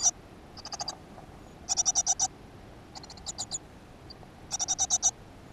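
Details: Great tit at a nest box in a school garden, recorded 7 June 2015; four bursts of rapid, buzzy, clicking high notes, each burst a quick series of four to six pulses, separated by short pauses over a quiet background.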